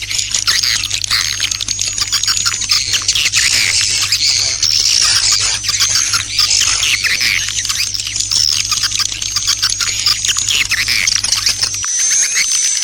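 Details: Dawn attack swiftlet lure call, a loud, unbroken wash of high chirping and rapid twittering from many overlapping voices, with a low electrical hum that stops near the end.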